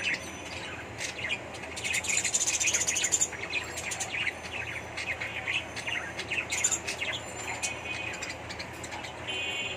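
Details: Budgerigars in an indoor colony breeding setup in Bangladesh: dense overlapping high chirps and warbling chatter from many birds throughout, with a steady background hum and a person speaking just after.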